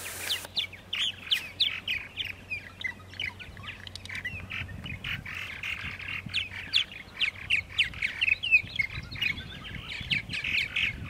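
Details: Purple martins calling at 8:30 on a Saturday morning, April 14, 2012, in Center Moriches, Long Island, New York: a dense, continuous chatter of gurgling, chirping notes from several birds, with a low steady hum underneath.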